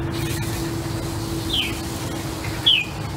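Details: Southern bald ibis in an aviary on a calm morning, giving two brief, high, squeaky notes that slide downward, about a second apart, over a steady low hum and faint rumble.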